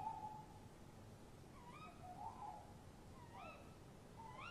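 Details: Male and female tawny owls exchange calls at a nest box in the small hours of 23 March 2015. Low level hoot-like tones alternate with several upward-sweeping kewick notes.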